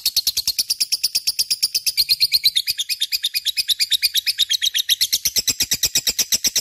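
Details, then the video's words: Lovebird in full energetic song, used as a lure to prompt other birds: a rapid, even stream of shrill chirps, about three per second, rising and falling slightly in pitch throughout. "Suara Burung Love bird gacor cocok untuk pancingan"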